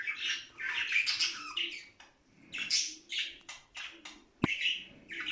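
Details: Budgerigars warbling, a sound played to stimulate play, excitement, singing and mating: scratchy, chattering bursts in rapid, uneven runs with a few sharp squawks and a short click near the end.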